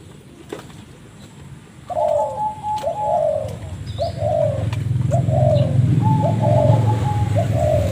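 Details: Spotted dove with a strange call: after a quiet start, a run of brief descending coos repeats at an uneven pace over a steady low rumble, with a few sharp clicks.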